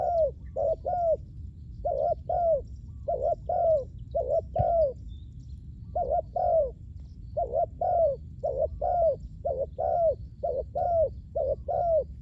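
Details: Long run of spotted dove coos from a bird used for luring wild doves, doubled hollow notes in regular bursts with brief pauses, one sharp click midway and faint distant bird chirps.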